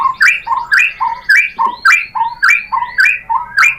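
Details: White-rumped shama song played as a lure to make a bird answer and sing: a rhythmic two-part phrase, a low whistle followed by a higher upslurred note, repeated about ten times in under four seconds.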